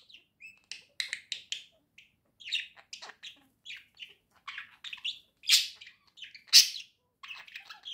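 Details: Two caged pet budgerigars singing merrily: short bursts of high chirps, buzzy chatter and squeaks, with louder rasping notes near the end and small gaps between phrases.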